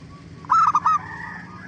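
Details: A single zebra dove phrase, sung to provoke other doves into answering: three quick, bubbling cooing notes, loud and close, over a faint low hum.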